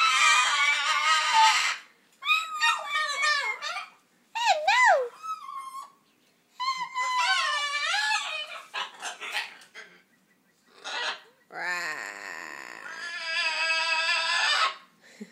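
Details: Macaw attempting to mimic human speech, a very fuzzy imitation: strained, wavering tonal syllables in bursts separated by short pauses, some dipping and rising sharply, others raspy and broad.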